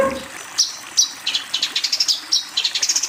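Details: Long-tailed shrike master song, played to train young shrikes: a quick run of sharp, high chirps and short buzzy bursts. The bursts come faster and denser toward the end, with faint background hiss.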